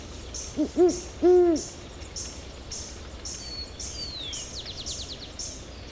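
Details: A great horned owl (Bubo virginianus), recorded in Ecuador, gives three deep, soft hoots, two quick ones and a longer last; steady high insect chirping and faint thin bird whistles follow.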